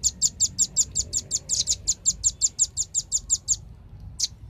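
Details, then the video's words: High, hard chipping of a velvet-fronted nuthatch in a lure recording meant to attract birds, a long unbroken series of quick identical notes, ending with one lone chip. "suara pikat burung rambatan ribut suara jernih paling ampuh di jamin kumpul"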